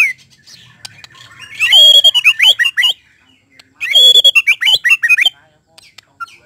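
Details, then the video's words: White-rumped shama sound said to spur quick display of its repertoire: two loud bursts of rich, high, tumbling phrases mixing clear whistles and rapid trills, separated by a short pause. "TERNYATA SUARA INI DPT MEMANCING MURAI BATU CEPAT BONGKAR ISIAN"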